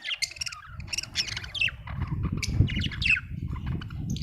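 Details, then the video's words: Budgerigar producing harsh, grating squawks and chirps in quick succession, some with a downward sweep, over heavy low-pitched background noise. "budgie chirping sound"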